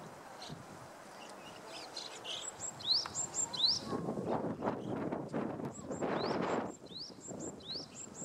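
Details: Japanese tit singing in spring: high rising whistled sweeps, each followed by short thin high notes, repeated in quick phrases, with bursts of broadband rustling noise in the middle.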